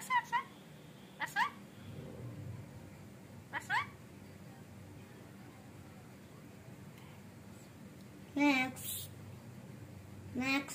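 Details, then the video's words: Rainbow lorikeet talking indoors: short harmonic word-like calls in brief bursts every couple of seconds, then two louder harsh screechy phrases near the end, over a quiet room hum. "Rainbow lorikeet Talking"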